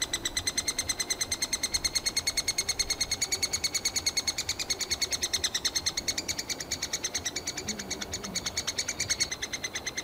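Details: Loud begging from a brood of three-toed woodpecker chicks inside a nest hole in summer, each chick calling until fed; a dense, steady stream of sharp, high, squeaky notes, several per second, for ten seconds.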